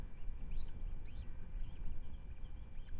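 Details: Ospreys at the Manton Bay nest in Rutland, filmed by a wide-angle live webcam on 10 May 2025: a run of five sharp whistled chirps that arch and fall, spaced about half a second apart, over a steady low rumble.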